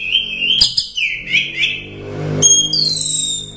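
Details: Orange-headed thrush competition bird, a first-place winner, giving slurred whistled notes, then long, level high whistles, with faint low background hum.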